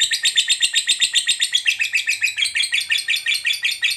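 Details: Fighter lovebird in a long ngekek chattering song meant to provoke other lovebirds: a steady stream of harsh, buzzy pulses, about two and a half per second, with no other clear sounds.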